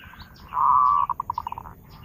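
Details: Zebra dove song used as a lure, with one long steady cooing note followed by a quickening run of short clipped beats that fade out, and faint chirps of other birds overhead.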